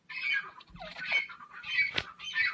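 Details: Female grey francolin (teetar) from Taunsa, Pakistan, giving harsh, raspy squawking notes in broad noisy bursts, several in a row, with a sharp click near the end.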